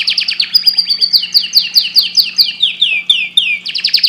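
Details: Canary singing at length: fast trills of bright, downward-sweeping notes, several repeated each second, shifting into a steady run of clear sliding whistles, with no other sounds beneath.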